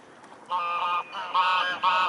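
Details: Mute swan recorded on 13 February 2016: three loud, nasal, honking notes, each held about a third to half a second with a rich harmonic stack, separated by brief pauses.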